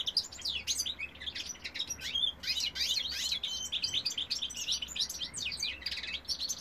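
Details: European goldfinch male singing in 2018: a dense, unbroken stream of high twittering notes, quick slurs up and down interspersed with buzzy rattles, bright and cheerful in tone.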